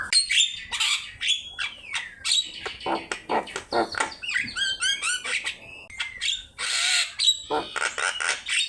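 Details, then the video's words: Vigorous Javan myna song serving as a training master: a dense, noisy medley of grating chatter, rapid warbled trills and sharp whistles, delivered continuously without breaks. "Suara jalak kebo gacor"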